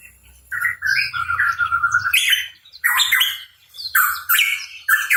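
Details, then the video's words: Hooded pitohui (cucak rawa papua) chirping actively: a run of soft, level whistled notes over a low hum, then a series of loud, harsh, rising phrases. "Cucak Rawa Papua Gacor | Pitohui Bird Chirping"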